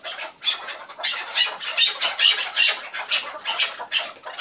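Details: Chukar partridge calling in a lively bout known as keklik hengamesi: dense, harsh, rapidly repeated bursts of chattering notes, several per second, pulsing louder and softer throughout.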